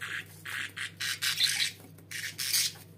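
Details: Budgerigars at home make short, scratchy squawking bursts, five or six broad raspy notes over three seconds, with a soft hum behind.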